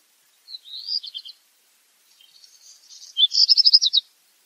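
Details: Black redstart song with a rattling opening phrase, a quiet scratchy crackle in the middle, and a loud closing burst of fast, evenly spaced high notes.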